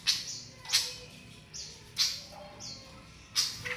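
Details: Flycatcher practising its basic song, giving loud, sharp chips about once per second, mixed with brief high whistled notes that slur downward.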